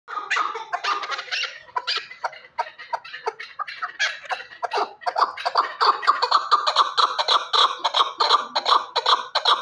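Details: Chukar partridge from Shurobod calling: a long run of harsh, rhythmic chuck notes building into a steady, accelerating cackling series of clipped bursts.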